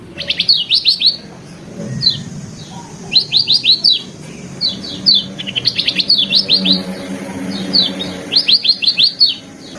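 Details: Varied training song of a lemon-bellied white-eye: clusters of three to five rapid, high, downward-sweeping chirps repeat every second or two, separated by brief gaps, with a faint low murmur underneath.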